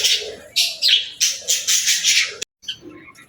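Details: Budgerigar giving a rapid series of bright, scratchy chirps, about one every half second, then a brief silence and softer twittering notes.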